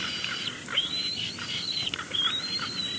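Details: Bald eagle at a nest at Big Bear Lake, picked up by a live nest camera on 12 May 2022 while nest fluff is brought in and arranged; thin, high whistled notes with a wavering tone over steady background hiss.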